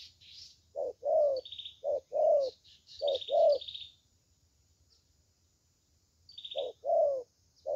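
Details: Spotted dove, a 'thổ tơ' with a fine voice, delivering paired low coos, a quick note and a longer rolling one, in two bursts separated by a few seconds of quiet, light chirping of small birds above.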